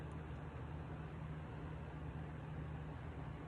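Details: Steady low engine or traffic rumble throughout, no animal calls.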